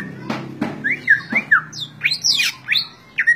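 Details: Captive greater green leafbird kept as a contest songbird in Indonesia, singing short whistled slurred notes, some rising and some falling, at a fairly steady pace, with a few clicks and knocks at the start.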